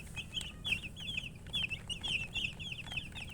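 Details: A brood of baby chicks gives rapid, piercing, trilling peeps that overlap into a continuous high chatter, with a soft low drone behind.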